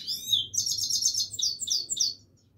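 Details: Himalayan goldfinch singing continuously, a tight cascade of bright, high, tinkling twitters and fast trilled figures, ending abruptly near the close; background otherwise quiet.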